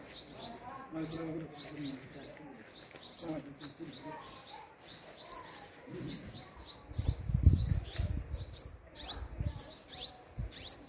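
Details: Sunbird feeding and guarding young at a hanging nest, giving thin high chirps in bursts every second or two, while people talk in Spanish and low thumps and rustling sound nearby.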